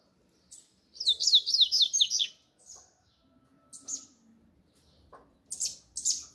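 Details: Double-collared seedeater song in the grego style: a fast buzzy run of descending high notes, then sparse short chirps with quiet pauses between.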